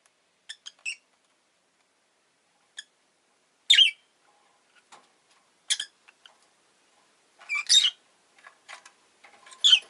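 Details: Rosy-faced lovebird, Agapornis roseicollis, uttering short shrill chirps at irregular intervals, some doubled, with faint clicks between louder calls.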